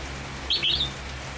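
A red-whiskered bulbul gives a brief, bright warbled phrase of two quick notes over a low steady hum.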